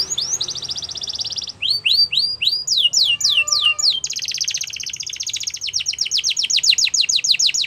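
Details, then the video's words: Canary song used to stimulate other canaries to sing: high rapid trills of repeated notes, a fast sweeping phrase, a brief low buzzy note near the middle, then a long even rattling trill of steady syllables. "All The Canaries Will Sing Along After Hearing This Canary Chirp"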